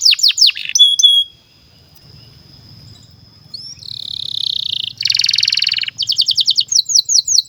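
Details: Domestic canary used as a singing master for young canaries: quick chips, a long thin sustained whistle, a dense buzzy roll, then rapid repeated notes, over a faint low hum.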